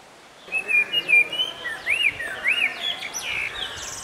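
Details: Indian blackbird at Nandi Hills, India: a sequence of clear whistled notes, several rising-and-falling arched slurs, followed by higher thin twittering phrases, fairly loud against a quiet background.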